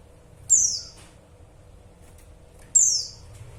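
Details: Two identical piercing, downward-sliding chirps about two seconds apart, given by a female white-eye calling the male, with near silence in between.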